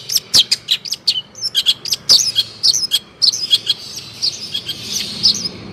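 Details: Long-tailed shrike singing continuously, used as a training recording for other shrikes to answer: a rapid run of sharp high chirps and short downslurred whistles, with brief clicks between notes and a busier warbled stretch near the end.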